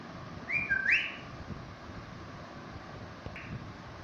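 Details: Talking parrot greeting a baby parrot: one short, loud whistled phrase that swoops down and back up, lasting under a second, then quiet room hiss with a faint, brief later note.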